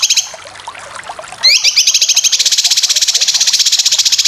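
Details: Cucak kinoy singing, used to train competition birds: faint scattered chips give way to sweeping upslurred notes and a steady, fast, buzzy rattling trill held to the end.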